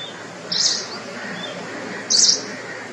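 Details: Forest wagtail at Nalsarovar bird sanctuary, Gujarat, India: two short, sharp, high metallic notes about one and a half seconds apart over a faint steady background hiss.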